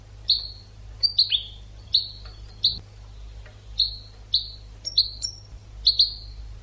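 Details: Educational goldfinch song for training birds: a steady series of crisp high chirps and short falling slurs, some doubled, spaced roughly every half second, over soft background hum.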